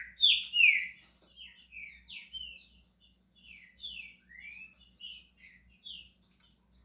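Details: Pet green-winged saltator starting its song: a loud slurred whistle opens, followed by a rambling series of quieter downslurred and upslurred whistled notes at an uneven pace.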